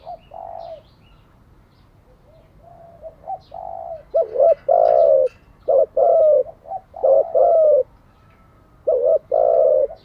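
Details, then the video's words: Spotted dove cooing used to train decoy and newly caught doves: soft low coos at first, building into loud repeated phrases of short hoots and longer drawn coos, with a final double-note phrase after a pause. "Tiếng chim cu gáy mới nhất, dùng luyện chim gáy bổi và mồi hàng ngày"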